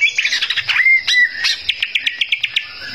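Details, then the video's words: Greater green leafbird singing hard to provoke rivals: rich warbling slurs and a falling whistle, then a quick regular series of sharp chipping notes about eight per second. "cak ijo gacor bikin, lawan ngamuk"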